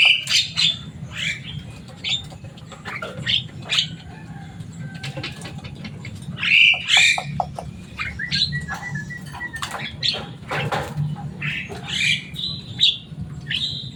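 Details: A Javan myna kept at home, said to be loud, noisy and able to imitate human words, gives irregular squeaky chatter, clicks and brief whistles over about fourteen seconds, with a low background hum.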